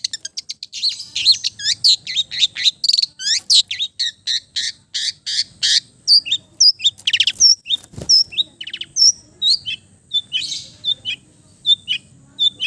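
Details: Long-tailed shrike from East Java singing a relaxed, lively song full of mimicked notes: a dense run of varied high whistles, sharp chirps and rasping sweeps, tumbling together almost without pause, with one low thump near the middle.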